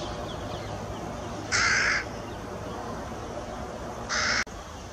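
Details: Young carrion crow, one of a pair's two young, noisily demanding food from a parent on Buck Hill; two harsh, hoarse drawn-out calls about two and a half seconds apart over steady low background rumble.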